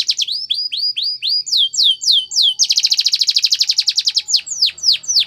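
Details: Training song of a Spanish Timbrado canary, a series of descending whistled slurs repeated about twice a second, then a rapid metallic trill, ending with a few more downward-swept notes.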